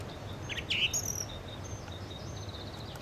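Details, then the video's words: Sparrows eating food and chirping, giving short, bright chirps in a few quick bursts over a steady low background hum. "Sparrow Birds Eating Food & Chirping"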